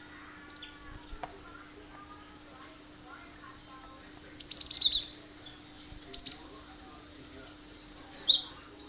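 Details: Cinereous tit giving sharp 'tembakan' song bursts, meant as a lure that makes other birds sing along: three short clusters of high, quick whistled notes spaced a few seconds apart over a quiet background.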